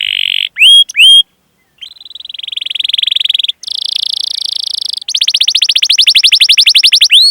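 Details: Canary song used as a master recording for training other canaries to sing: rapid buzzy trills and long rolling runs of repeated high notes, broken by short upswept whistles and brief pauses.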